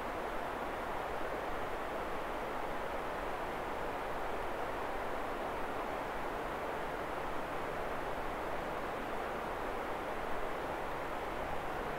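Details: Steady broadband rushing noise throughout, like a fast stream or distant engine, with no animal calls heard.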